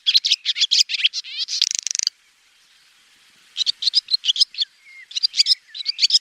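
A swallow twitters in quick bursts of high, scratchy chirps and buzzy trills, pausing briefly before resuming with rapid notes and a short rasping phrase.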